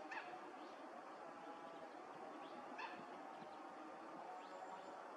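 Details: Wild Mandarin ducks at a neighbourhood pond in January 2021, gathering in a lively courtship party with males puffing up to look bigger, recorded from far away; brief faint rising whistles near the start and again mid-clip, a few softer ones, over steady hiss.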